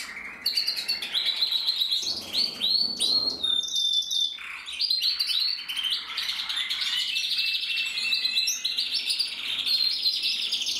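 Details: Red-black male canary with a crest, 2024 bird, opens with sharp clicking ticks, then flows into fluid rolling trills and a long continuous warble.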